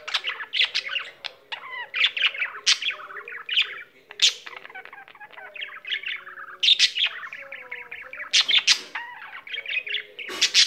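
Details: A pet budgerigar singing tirelessly: long, varied chattering warble mixing rapid clicks, buzzy notes, and smooth wavering whistled glides, broken by occasional harsh high squeaks.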